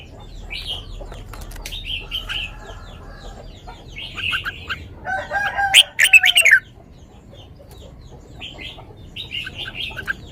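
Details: Red-whiskered bulbul singing a 'lak wai' style song: soft scattered whistles, then a loud, quick run of rich slurred notes midway, followed by faint further whistles.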